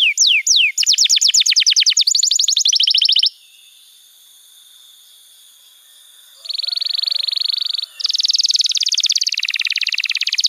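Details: Canary master song for training young canaries: quick falling whistles and a rapid trill, then a pause of near silence before a steady buzzy trill and a fast rattling roll resume.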